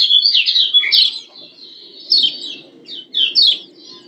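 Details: A female Lombok yellow white-eye (Javan white-eye), whose calls are used to excite males, gives high, thin chirping notes around three to five kilohertz in quick twittering bursts with short pauses, over faint low room hum.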